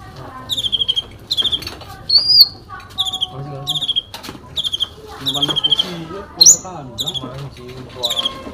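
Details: A sooty-headed bulbul sings its fighting song rich in fill-in phrases, repeating fast trilled bursts about every second, with one rising whistle and a looping note, while low voices and background clatter carry on beneath.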